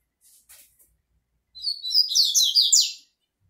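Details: Double-collared seedeater singing while facing a female: a rapid, bright phrase of sharp chirped and slurred high notes, each falling slightly, delivered in about one and a half seconds after brief soft clicks, in a quiet room.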